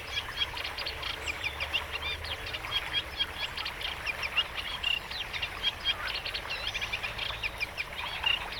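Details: Eurasian reed warbler (Acrocephalus scirpaceus), a reed-bound bird, gives its continuous, insistent song marking out its territory: steady chattering of rapid, grating and churring notes without pause, over faint background hiss.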